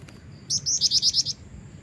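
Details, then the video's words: A vocal female jingjing batu calls to draw in a male, giving a quick string of six bright, high-pitched chirps in about 0.8 seconds against faint low background noise. "jingjing batu betina gacor pancingan jantan"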